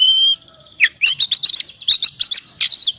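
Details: Oriental magpie-robin singing a busy fill-laden song to stir quiet birds: a pure high whistle, then a tumbling series of scratchy, twisting notes in quick bursts of four or five.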